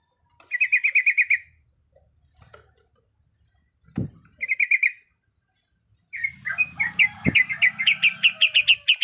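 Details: Yellow-vented bulbul, female in breeding condition calling males: two quick trills of bright staccato notes, a thump, then a longer busy run of loud chirps overlapping other chatter above a low rumble.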